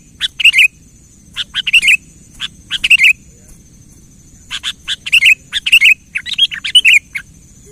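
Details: Kutilang in song to coax a quiet bird: short phrases of sharp chirps followed by rolling, slurred whistles, given in groups with pauses, livelier near the end, with a low background hum.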